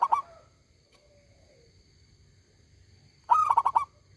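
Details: Local zebra dove, said to be a loud, ringing and prolific singer, gives a short cooing note, then a long pause, then a quick burst of about five staccato, throaty cooing notes near the end. Faint steady high tones hum in the background.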